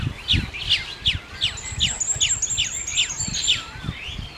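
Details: Chestnut-tailed starling giving a clean series of about ten sharp, downslurred chirps at an even pace, roughly two per second, with a thin high whistle running behind them.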